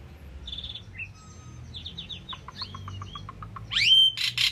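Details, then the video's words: Soft singing from an Asian pied starling: thin whistled notes and a row of rapid, evenly spaced downslurred ticks, building to loud rising whistles and harsh, noisy bursts at the end. "Asian Pied Starling Bird Singing and Chirping"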